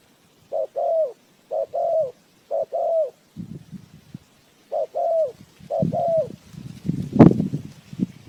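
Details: Spotted dove used as a decoy for bird trapping, giving two-part coos, a short note then a longer falling one, three times, then twice more between low rustling and thumps, with a sharp knock near the end.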